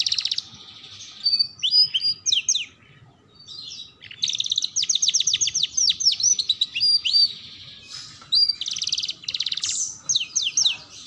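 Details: Canary song played to young canaries learning to sing: varied whistled phrases, dense rapid trills of sharp descending notes, and clear high whistles, separated by short pauses, with a faint hum behind.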